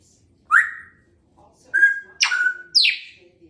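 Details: Pet female Congo African grey parrot, not yet two years old, chattering at home. Four clear whistled notes: a rising slur, a level tone, a downward sweep into a steady whistle, and a falling high note.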